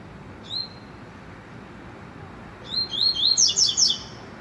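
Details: Rusty-collared seedeater singing the trovão song style: one thin whistled note, a pause, then a fast run of high, sliding, warbled notes that rise into dense chirps before stopping abruptly.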